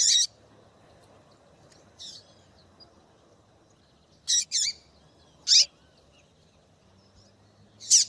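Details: Female double-collared seedeater calling to spur a male to song: sharp high chips, sometimes in close pairs, scattered irregularly with gaps of one to two seconds over a faint low hum.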